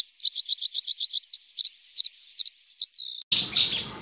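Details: Bush lark song for tutoring young larks: rapid repeated chips, then looping slurred whistles and a steady high note, cut off by a sudden burst of noise near the end.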